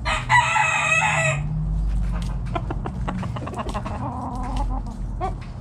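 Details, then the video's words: Rooster of a backyard chicken flock foraging in the morning crows loudly and harshly for over a second, then scattered clucks and soft calls follow over a low hum. "Back Yard Chicken Flock Foraging In The Morning!"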